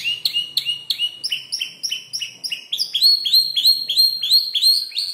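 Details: Five-month-old canary, still learning to arrange its song from tutor birds such as ciblek, klik-klik and prenjak lumut, sings rapid repeated high chirped syllables, several per second, shifting to a brighter rising phrase halfway through.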